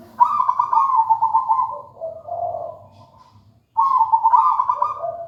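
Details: Zebra dove, a local wild bird, giving its melodious song: a long bubbling trilled coo that fades into a lower purr, then after a pause a fresh phrase begins.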